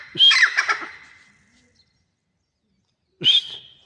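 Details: Grey francolin, known locally as teetar, gives two loud, harsh, grating call bursts. The first is rattled and choppy, and the second starts about three seconds later after silence.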